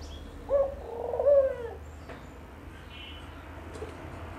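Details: Dove giving a low, soft cooing call: a short note followed by a longer, wavering coo lasting about a second, over a faint background hum.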